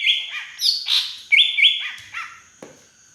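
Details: Green leafbird from the Beutong forest of Aceh, singing with fill-in copied from a drongo: bright whistled notes, some buzzy and slurred, in quick pairs, ending with a sharp click.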